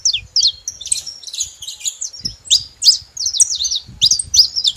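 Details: Several saffron finches calling together: a rapid, dense stream of high zigzag chirps and twittering notes, uneven in rhythm, over faint low rumbling background sounds.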